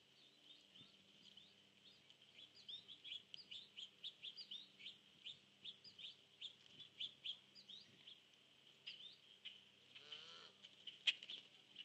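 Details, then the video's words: Cedar waxwings on a nest tree, 19 September 2014, mid-afternoon, give thin, high, lisping trills, several birds repeating them about twice a second over a faint background hum. "CEDAR WAXWING ON NEST TREE"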